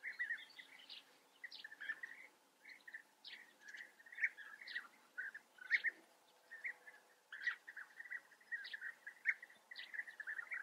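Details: Several European bee-eaters calling in the Eifel region of Germany, a steady chatter of burry, rolling 'prrup' notes overlapping almost continuously, punctuated by sharper higher chirps, over a quiet outdoor background.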